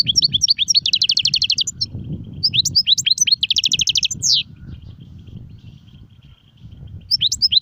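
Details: European goldfinch song in the sarfati, guezrati and tsersir styles: two bouts of bright twitters each climaxing in a fast metallic trill, a quiet gap with low rumble, then twittering resumes.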